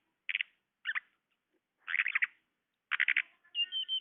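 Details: Lure sound for trapping tledekan birds: mostly short, harsh, buzzy chattering bursts in irregular clusters, ending with a few high whistled notes.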